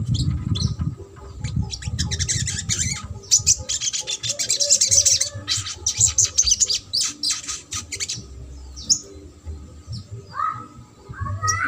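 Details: Long stretch of sogok ontong trotol song, a recording aimed at birds that stay silent. A dense, shrill, rapid chatter of high chirps rises into a sustained burst, then eases into scattered squeaks and short rising whistles.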